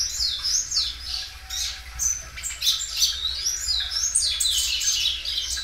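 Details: Belgian canary in full loud song, repeatedly stretching its phrases; fast high chirped notes and swooping warbled trills flow without pause, with steady low hum beneath.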